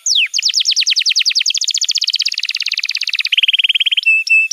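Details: Canary master song meant for young canaries: falling whistle, then a long run of rapid repeated notes stepping lower into a dense trill, ending with a few short flat whistles.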